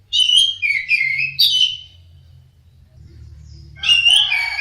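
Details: Anis merah, or orange-headed thrush, pouring out a dense, loud run of mixed whistles and warbles, pausing briefly, then resuming, over a steady low hum.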